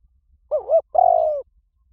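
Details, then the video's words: Spotted dove lure call: two connected wavering coos, then a brief gap and a long, buzzy, slowly falling coo, clearly heard against silence. "Tiếng chim cu gáy gọi dùng kích bổi"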